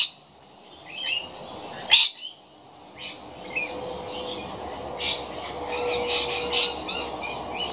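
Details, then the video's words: Feeding rainbow lorikeets utter grating squawks and rapid chattering notes, one louder screech standing out, over a constant high-pitched insect hum. "Rainbow Lorikeets Feeding"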